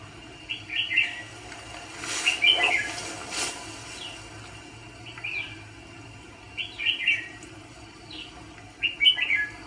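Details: Red-whiskered bulbul kept as a trapping decoy for fighting birds repeats loud, clear, chirpy whistled phrases roughly every two seconds, each with a quick rising and falling warble. A few faint clicks sound in between.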